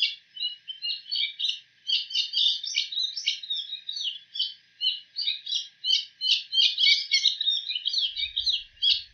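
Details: A Bull-headed shrike imitating other birds' calls runs through a rapid, varied medley of borrowed chirps and twitters, high and scratchy, several notes per second without pause.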